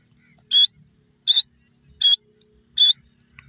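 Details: Grey francolin, known locally as Sindhi teetar, giving loud, harsh, high-pitched notes in a steady series, four strong calls spaced about three-quarters of a second apart, with only faint low background noise between them.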